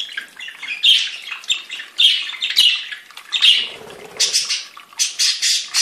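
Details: A mixed group of budgerigars in a breeder's aviary singing: rapid scratchy chirps and buzzy warbles in quick bursts, a soft flutter of wings partway through.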